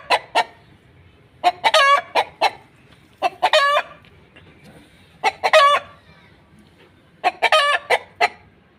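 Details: Cackling hen laying an egg repeats a four-part pattern roughly every two seconds. Brisk clucks lead into a long, harsh, drawn-out note.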